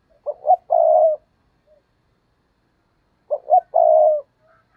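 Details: Decoy spotted dove cooing to lure wild doves: two short low hoots followed by a longer rolling coo, the phrase given twice about three seconds apart, clean and close.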